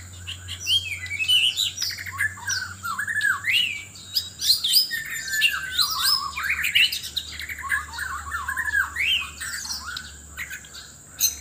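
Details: ['Loud contest song of a White-rumped shama in Sabah, Borneo, looking for a mate: dense stream of rising and falling clear whistles, trills and sharp chips, with a constant high-pitched hum behind.']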